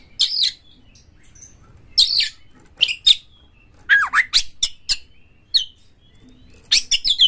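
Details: Oriental magpie-robin in full song, meant as a lure to make other magpie-robins sing and open their tails. Short, sharp, high rasping bursts come separated by brief gaps, with one downward-swooping whistle in the middle.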